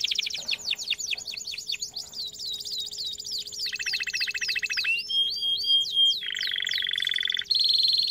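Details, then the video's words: Canary song meant for teaching canaries: swift falling whistled notes, a lower buzzing roll, ringing upward slurs, then flat sustained trills, over a faint constant hum. "Most powerful song for training Canary"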